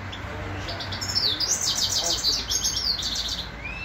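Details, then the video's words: A grey-crowned (Himalayan) goldfinch from Khujand sings a fast, tinkling run of high twittering notes and buzzy trills, with a low hum and faint room noise behind. "Седоголовый щегол"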